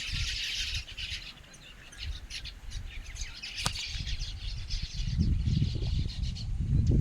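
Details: Bird chirping, busy and high-pitched in the first half, thinning out as a loud low rumbling or fluttering noise builds toward the end.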